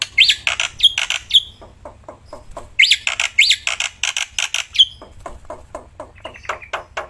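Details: Loud black-winged myna in a cage, singing outdoors while handled: harsh squawky bursts alternate with sharp rising whistles in two similar phrases, followed by softer scratchy chatter.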